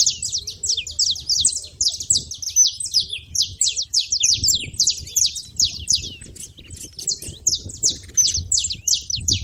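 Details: Busy chorus of saffron finches at a feeder, with quick high-pitched chirps tumbling over one another, roughly three per second, and soft low noise beneath.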